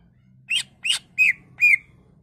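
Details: Greater green leafbird unloading its song repertoire to provoke other leafbirds: four separate notes, two rough buzzy chirps followed by two clearer arched whistles, against a faint low hum.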